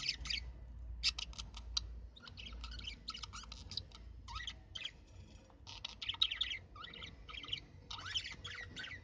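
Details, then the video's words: Budgerigars calling: dense, rapid chattering bursts of scratchy, warbling chirps, with a low rumbling hum underneath during the first two seconds. "طيور البادجي"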